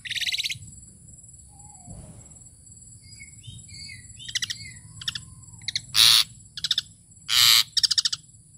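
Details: A tame, actively singing Asian pied starling produces scattered whistled slurs followed by loud harsh buzzy bursts and crisp chirps, with a faint constant high-pitched whine behind.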